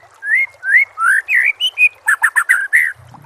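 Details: White-rumped shama song for prompting other shamas to sing; several clear rising and falling whistles, then a quick burst of harsh chattering notes.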